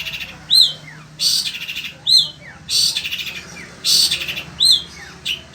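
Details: Indonesian pet long-tailed shrike of sembur type, singing nonstop in desert-like heat: harsh rasping bursts alternate with arched whistles and thin downward slurs, about one phrase a second.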